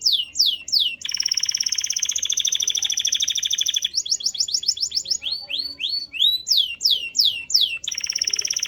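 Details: Canary song alternating clusters of steep down-slurred whistles with a long, rich rolling trill lasting about three seconds, then more slurred notes and another trill.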